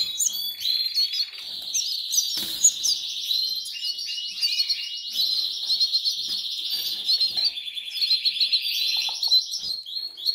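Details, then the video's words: Hungry goldfinch chicks in the Canary Islands: a dense, unbroken chorus of high, thin, slightly trilled begging calls overlapping throughout, with a few short sharper chirps on top. "LOS PICHONES TIENEN HAMBRE"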